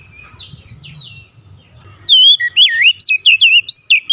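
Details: Oriental magpie-robin singing a lure song meant to provoke rival magpie-robins into song. Two seconds of faint murmur give way to loud, looping whistles that twist up and down, delivered in quick separate bursts.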